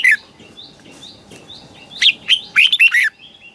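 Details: Red-whiskered bulbul in the southern Thai song style, used to stimulate caged birds and train chicks: a scratchy, jumbled run of quick chirps and warbled notes over a faint hum.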